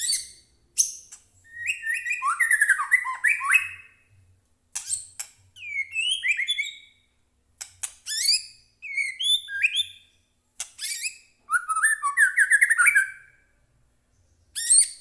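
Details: Agitated White-rumped shama song meant to provoke captive shamas: repeated loud clicks and chips alternating with fast, varied whistled phrases and falling warbles in several bursts.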